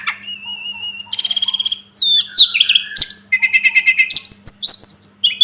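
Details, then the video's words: Sunda robin (tledekan gunung) in a tutoring recording. A wavering whistle gives way to a rapid even trill, then looping slurred whistles and a fast chattering series of repeated notes, with a constant low hum in the background. "Masteran burung tledekan gunung || burung sulingan gunung"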